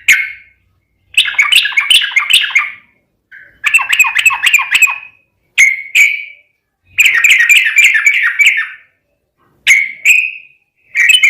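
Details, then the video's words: Sooty-headed bulbul (trucukan) song for training a bird to sing back, given in repeated bursts of fast, chattering whistled notes lasting one to two seconds, with short single whistles between them. "KICAU SUARA trucukan gacor TARUNG sambung ROPEL ampuh MENJADIKAN burung trucuk gacor NYAUT"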